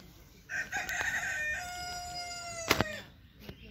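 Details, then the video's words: Cochin rooster crowing in a park: one long crow with a stuttered start, then a sustained, gradually falling harmonic note lasting about two seconds, followed by a sharp knock or clap and faint background noise. "Cochin rooster crowing in park"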